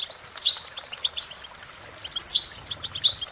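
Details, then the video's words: European goldfinch giving a brief, cheerful run of sharp, high chirps and liquid trills in quick succession. "innovative Ways To impress The Goldfinch With Bird Melodies"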